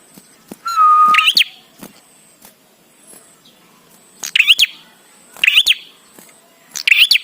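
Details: Bar-winged prinia song played to get prinias singing quickly: a long steady whistle, then loud, sharp chirped phrases with a rising twist, repeated about every one and a half seconds, with faint clicks in between.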